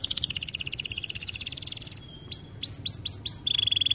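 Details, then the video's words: Canary singing for training: a quick buzzy trill, a pause, then five curved rising-and-falling whistles and a flat held whistle at the end. "Melodies Canary bird song | Training video"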